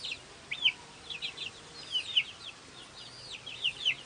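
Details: Newly hatched domestic chicks on a farmyard chirping: scattered high, thin peeping notes that sweep down, given irregularly in small bursts, with quiet background.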